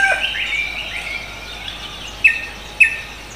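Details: Cucak kombo singing lively in the morning: a burst of chirpy notes around the start, then two sharp, bright chips separated by about half a second over a steady background hiss.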